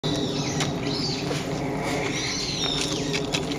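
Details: Brown-eared bulbul giving its usual morning calls on 26 November: slurred, shrill whistled notes rising and falling, some sweeping upward, over steady background hiss.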